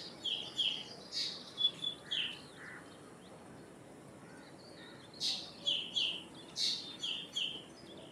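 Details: Common or Indian myna, an open woodland bird adapted to towns, giving two bursts of harsh, chattering calls mixed with short whistled notes, each run about two seconds long, separated by a quiet gap of steady background noise.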